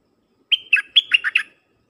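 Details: Dok taeng style song from a decoy red-whiskered bulbul calling wild birds: a single bright phrase of six clipped, warbled whistles, with a held high note leading into falling, buzzy syllables, then silence.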